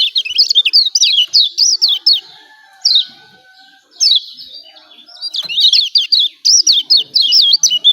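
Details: Energetic 'ciak ciak' calling by a Lombok yellow white-eye, or kecial kuning. Fast strings of high, wavering chirps are separated by isolated sharp notes and brief pauses.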